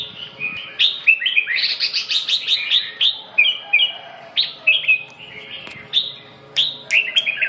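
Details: Red-whiskered bulbul labelled phong sơn, mí đỏ, rơm tê giác, siêu ché, delivering a dense run of bright whistled notes with quick rising and falling slurs, phrases tumbling almost continuously for several seconds.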